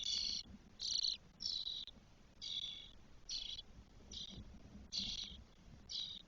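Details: Spotless starling nestlings, four chicks aged 12 days, in the nest in Spain on 1 June 2022. Harsh, hissing, rasping bursts come in quick succession, about nine in six seconds, over a quiet background.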